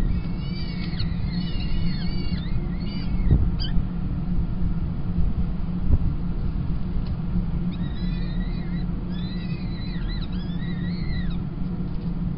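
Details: Peregrine chicks on the Kingston College nest give thin, rising squeals and chirps in two bursts while being fed on 28 April 2021, over a steady low roar of wind or traffic.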